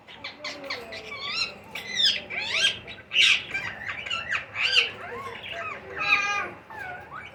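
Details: Indian ringneck parakeet chicks calling during feeding: dense, loud, raspy squawks repeated almost without pause, several voices overlapping in a continuous rapid chorus.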